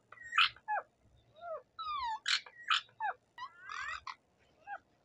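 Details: A talking rose-ringed parakeet, a native bird, shows its varied repertoire: a run of mixed whistles, rising and falling slurred notes, squeaks and rough chatter, constantly changing pitch, with faint low room noise underneath.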